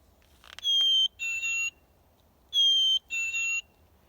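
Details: Black-capped Chickadee, heard year-round in a school forest, giving its clear, whistled two-note song, a high note then a slightly lower one, sung twice about two seconds apart.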